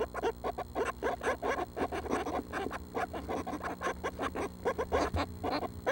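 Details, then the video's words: Northern Flicker nestlings, seven young close to fledging, at 6 am on June 12: a dense, continuous stream of buzzy, raspy chatter notes repeated several times per second, over a constant low mechanical hum. "June 12 at 6am - Northern Flickers"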